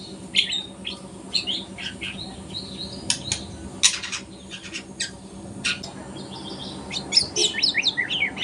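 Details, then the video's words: Young speckled White-rumped shama practising song at morning: scattered high chips and short whistles mixed with sharp clicking ticks, busier and denser in the final seconds. "kicauan murai batu trotol pagi hari"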